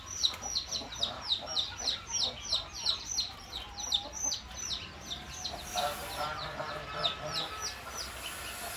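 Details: Baby goose peeping steadily: sharp, high descending whistled notes about three per second, forming a continuous chirping series over faint background noise.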